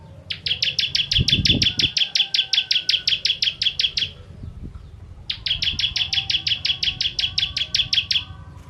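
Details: Ciblek kristal, the bar-winged prinia, sung as training material for contest birds: two long rapid trills of clipped high chips, each around three to four seconds, with a low thud near the start.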